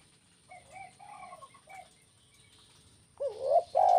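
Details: Spotted dove cooing, kuk 1 type: soft distant coo notes first, then a loud close hooked coo and a rising phrase cut off at the end, over faint high chirping of other birds.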